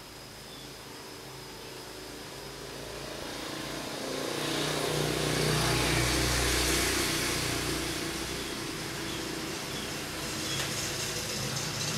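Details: Traffic noise and a passing vehicle swelling midway over a steady low hum, with no animal calls standing out.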